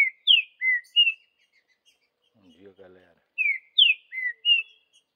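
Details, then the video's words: Wild green-winged saltator, Vidigal song type, in the bush: two phrases of four loud whistled notes, falling and level slurs, separated by a pause in which a short low voice is heard. "Trinca ferro Vidigal no mato"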